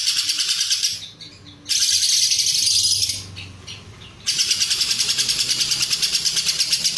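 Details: A lovebird's extended Cililin-style ngekek for coaching competition birds: three stretches of intense, high rattling chatter pulsing about three times a second, split by short near-silent breaks.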